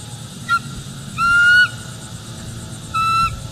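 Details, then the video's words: Bald eagle pair on a lookout branch near their Northeast Florida nest, September 2023, picked up by a nest cam as the female warns the male he is too close: three high, clear, steady whistled notes, the middle one longest, over low rumble. "NEFL Bald eagles; Gabby tells V3 "that's close enough.""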